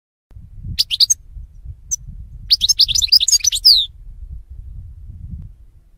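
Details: European goldfinch song used for training goldfinches to sing: a brief chirp, then a rapid run of twittering, tinkling notes with downslurred buzzes, over faint low rumble.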